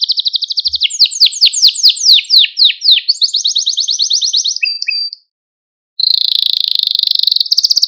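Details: Malta canary song used to rouse canaries: repeated falling sweeps flow into a fine, even trill. A short silence follows, then a bright, high, buzzing roll.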